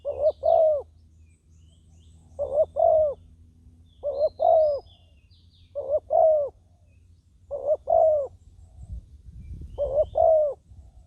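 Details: Spotted dove working as a ground decoy to bring in wild doves, cooing steadily in six paired-note phrases roughly every two seconds, each ending in a longer falling croo; a low rumble near the end.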